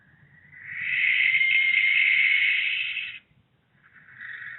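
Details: Two barn owls house hunting at Charvil, Berkshire, on 16 September 2021; a long, harsh, hissing screech swells and holds for about two and a half seconds, then cuts off before a second screech begins.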